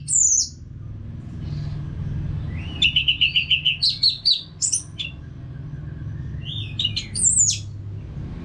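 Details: Orange-headed thrush song: a single high slurred note, a pause, then an evenly spaced series of about eight quick repeated whistles rising into higher phrases, with a steady low background rumble.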